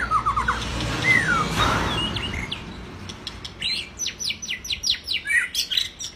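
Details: Singing white-rumped shama as a training recording for other birds: fluid whistled phrases, a rushing noise in the middle, then a quick run of repeated sharp high notes.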